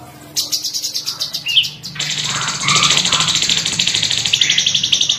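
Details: Sooty-headed bulbul (cucak cungkok), a bird with sharp rolling song and bursts. Quick pulsed notes lead into a dense continuous high chattering trill lasting several seconds over a low background hum.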